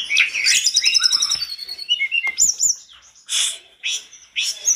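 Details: Mountain tledekan (Sunda robin) in energetic song answered by other tledekans; a fast rattling trill opens, followed by sweeping whistles and short separate bursts of sharp notes.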